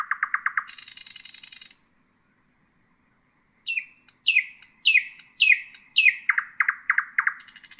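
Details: Nightingale song for teaching young birds: a fast rattling run of repeated notes turns into a harsh buzzy trill. After a silent gap come six loud descending slurred whistles, then a quick burst of repeated chuckling notes.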